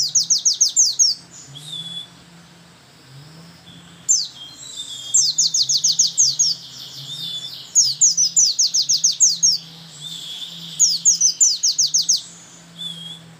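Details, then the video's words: A white-eye sings in a monotonous rapid-fire style, bursts of rapid, high, trembling notes, each volley about a second long, repeated every few seconds over a low steady hum. "Pleci tembakan monoton, satu lagu gaya geter geter"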